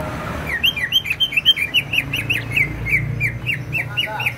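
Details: Greater green leafbird from Banyuwangi, East Java, singing vigorously: a fast run of short, bright, slurred whistled notes, about four or five per second, each dipping then rising, over a low background hum.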